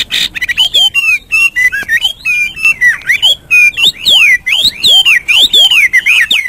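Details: Clear, ringing whistled phrases from a Hwamei. Sweeping slurred notes with strong overtones come in quick succession, growing fuller and more tumbling toward the end.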